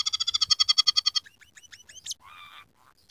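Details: Scaly-breasted munia singing with a canary, sparrow and red siskin fill: a fast pulsing trill, a row of rising hooked whistles, a sharp high note, then a nasal buzz and a last chip.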